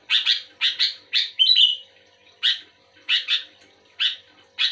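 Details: Kutilang, the sooty-headed bulbul, singing responsively toward another bulbul. Repeated coarse doubled chirps about every half second, interrupted once by a short bright whistled trill.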